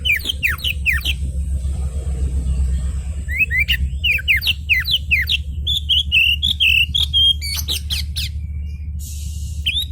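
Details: An oriental magpie-robin in an agitated state, used to draw answers from other magpie-robins, gives fast repeated downslurred whistles and then a chain of short warbled notes, with a brief hiss near the end and a steady hum behind.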